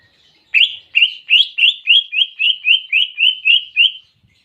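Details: Clear greater green leafbird phrase imitating a canary: twelve evenly paced, rising whistled notes, about three per second, at a steady high pitch with no background noise.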